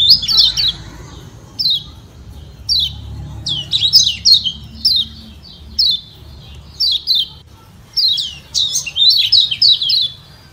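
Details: Kecial kuning (yellow white-eye) from Lombok giving a 'ciak ciak' call meant to provoke other white-eyes into answering: sharp, high, downward-slurred chirps in quick clusters, bursts repeating roughly every second with short pauses, over a faint low hum.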